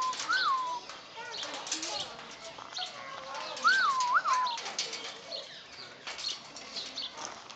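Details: White cockatoo in Hilo, Hawaii, screaming loudly and excitedly: harsh, raspy screeches mixed with a few looping whistled notes, while people talk in the background throughout.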